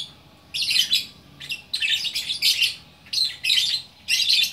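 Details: Lovebird from Bukittinggi, West Sumatra, singing in the prolific 'gacor' orkestra style: bursts of rapid, high, scratchy chatter about a second long, separated by short pauses, with a quiet background.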